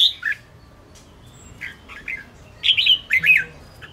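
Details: Red-whiskered bulbul of the Ché type giving a fighting song meant to provoke rival and less spirited birds: short warbled, slurred whistled phrases, one at the start, a brief one near two seconds, then a louder run of rich notes in the final second.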